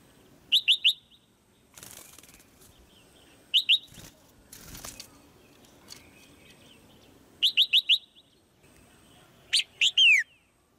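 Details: Caged female white-eye calling to spur a male into louder singing: clusters of two to four sharp, high chirps recur every three to four seconds, with rustling, wing-flutter-like bursts and clicks between them.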